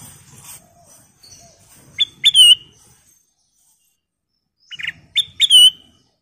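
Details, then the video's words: Lure call of a kutilang emas bulbul to encourage other birds' singing: two phrases of short chirps ending in a clear, slurred whistle, separated by about three seconds of quiet. "Suara Panggilan Kutilang Emas Gacor , Pancingan Kutilang Emas full isian"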